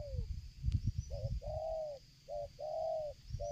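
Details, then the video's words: Spotted dove calling while approaching during bird luring, giving clear mellow coos: a short paired note then a long smooth coo, repeated, with low rumbling noise and a sharp click near the start. "tekukur ini kuat nguku dari jauh mendekat nguku takberhenti"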